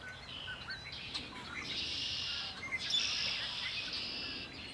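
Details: Lake Erie birdsong, long sustained buzzy trills running almost without pause, a few brief chirps mixed in, over a quiet low background.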